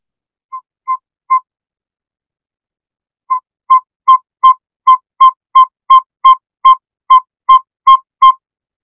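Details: Male northern saw-whet owl giving its territorial toot call on breeding grounds in Canada: three clear, mellow whistled notes, a short pause, then a steady run of about fourteen more, nearly three per second.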